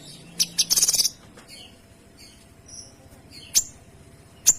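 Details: Kinoy singing energetically, a tutor recording: a rapid, dense burst of sharp high chattering notes, then faint high whistles and two isolated loud sharp chips.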